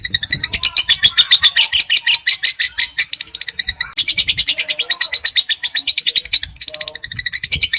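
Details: Lovebird (PAUD) in long ngekek song: dense, fast high chatter running in three stretches with brief pauses, notes rattling at a quick steady pace.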